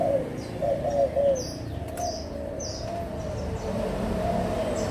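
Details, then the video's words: Spotted doves, adult birds of Malaysian and Thai lines, 16 March 2022, give a quick run of three soft rounded coos at the start, after which only a low hum and faint high chirps remain. "cu gáy trưởng thành malaysia và thailand"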